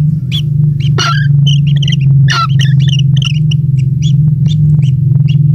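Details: At the nest, a single young kingfisher chick receives insects from its parent, giving rapid squeaky chirps, some doubled, with sharp clicks and rustling against a constant low droning rumble.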